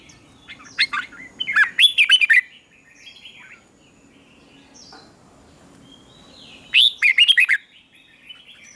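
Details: Red-whiskered bulbul song used to train birds and spur rival birds into contest singing: two bursts of loud, rapid warbled phrases of about six notes, sliding down and up, separated by a quiet pause with faint background hum.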